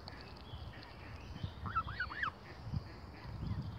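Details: Lone gosling without siblings, often bullied by other goose families, giving three quick rising-falling peeps in a short burst, with background rustling and low outdoor rumble.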